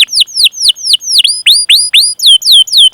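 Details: Canary giving repeated cuit cuit calls, loud whistled notes that swoop down then up, about four per second, used to stimulate other canaries to sing.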